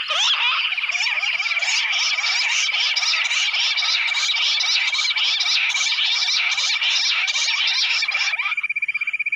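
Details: Wild bush quail, known locally as gundri or lavari bater, answering playback from a phone speaker in forest; rapid jumbled twittering notes pour out continuously for about nine seconds, with a steady thin tone running underneath.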